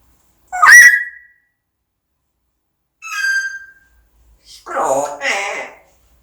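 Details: A grey parrot mimicking the sounds of eating gives a sharp rising whistle, then a shorter clear whistle, then a rough, noisy burst of mimicked sounds.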